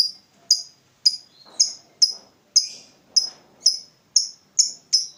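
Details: Lovebird calling as a lure for training other lovebirds: sharp, high, strident chirps with a falling tail, repeated about twice a second, with faint low rustling between calls.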